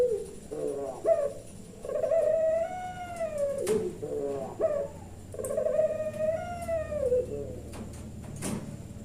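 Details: Puter pelung turtle dove from Kebumen, Central Java, in the 'nembak-nembak' calling style: short stuttering notes lead into a long, arched, drawn-out coo, given twice, with a few clicks and knocks behind.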